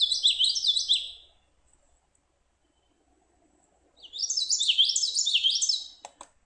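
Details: Common Yellowthroat, a migratory warbler, singing two bursts of its rollicking 'witchy-witchy-witchy' song, a repetitive, monotonous triplet with some variations; bright and high-pitched, with a pause between bursts over a faint low hum.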